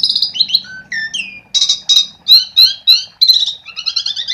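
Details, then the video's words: Vigorous 'gacor' song of an Asian pied starling, meant to prompt quiet starlings to sing: stacked whistles, downward-gliding notes and rasping bursts in quick succession, ending in a trilled, rattling phrase. "Suara Jalak Suren Gacor untuk Pancingan"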